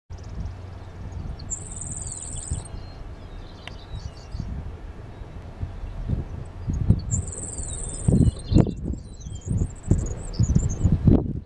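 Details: Grasshopper sparrow singing: two very high, thin, insect-like buzzes about a second long, roughly five seconds apart, each preceded by faint ticking notes. Steady low rumble throughout, with thumping knocks near the end.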